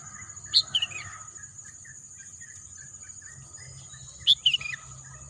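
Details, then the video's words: Bird in green natural scenery repeating a short phrase twice, about four seconds apart: a sharp high note then quick falling chirps, with an unbroken shrill insect hum throughout. "bunyi kicauan burung"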